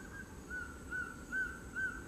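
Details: Male collared trogon (surucuá-de-coleira), an Amazonian bird, giving four soft, mellow, slightly rising notes about every 0.4 seconds over a faint steady background drone.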